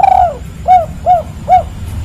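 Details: Spotted dove, 'kuk 3' call: a long drawn coo that falls away at its end, followed by three short, rounded, evenly spaced coos about 0.4 seconds apart, over faint low rumble.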